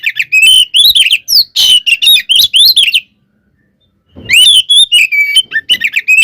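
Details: Provoking fighting song of a white-rumped shama: loud cluster of sharp whistled notes and harsh chatters, then about a second of silence, followed by another rapid burst of rising whistles and chips.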